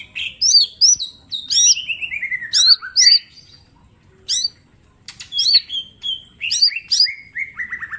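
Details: A mini green leafbird sings hard for a training recording: a run of sharp chips, then a long descending chattering slur, a brief pause, and more high whistles ending in a falling trill.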